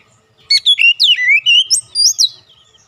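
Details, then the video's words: Oriental magpie-robin song used as a lure to provoke other magpie-robins: a quick run of clear, sliding whistles, some rising and some falling, packed into about two seconds of varied phrasing. "PANCINGAN AMPUH KACER APAPUN DIJAMIN LANGSUNG NGOTOT KONSLET"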